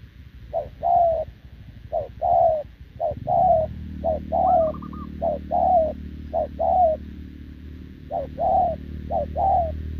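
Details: Short-legged wild-caught spotted dove cooing continuously with a decoy, 6 November 2024. Rhythmic coo pairs, a short note then a longer falling one, repeat about once a second. A soft low musical drone joins after three seconds, with one higher trill.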